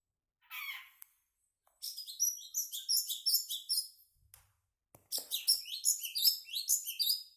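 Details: Long-tailed shrike singing agitatedly at night: a fast, high, scratchy chatter of tightly packed notes in two long bursts, after a brief lead-in phrase, with short silent gaps between.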